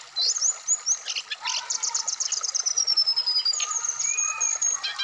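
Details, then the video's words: Black-throated laughingthrush song from Indonesia, used as therapy audio to get a captive bird singing the wikplong style. High whistled slides and rapid clipped trills run in quick varied bursts, with some lower whistled notes. "terapi srdc biar cepat bunyi wikplong Dan gacor full variasian"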